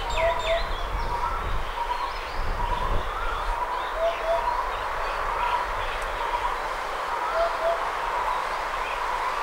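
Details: A Eurasian hoopoe sings soft, low, hollow "oop-oop" groups, repeated about every three and a half seconds, over chirping from other birds and a steady background hum.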